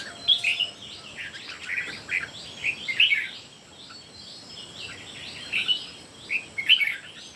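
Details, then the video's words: Competitive singing by three red-whiskered bulbuls: lively warbled phrases of chirpy notes, rising and falling, delivered in short bursts roughly every second over a faint steady background hiss. "3 CHÚ CHIM CHÀO MÀO CỦA A TỦA HÓT ĐẤU QUÁ ĐẲNG CẤP."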